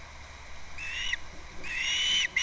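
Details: Recorded by a nest camera on Captiva on February 2nd, an osprey at the nest utters two long, strained whistles, the second longer and ending with an upward flick, then a brief sharp note.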